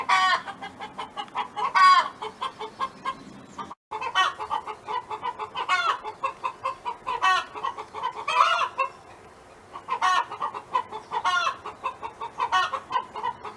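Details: Farm hen singing: about eight loud harmonic squawks spread through continuous soft clucking, with a brief silent break early on.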